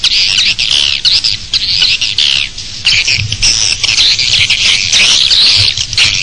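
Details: Swiftlets at a bird nest, an external sound: loud, unbroken high-pitched twittering made of fast buzzy chirps and trills, swelling and dipping in waves, with faint low thumps beneath.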